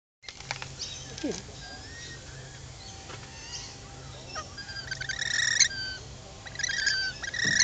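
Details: Lorikeets being hand-fed at Lane Cove Camping Ground near Sydney, Australia; harsh, scratchy screeches break out late in the clip over a steady high insect drone, with people talking nearby.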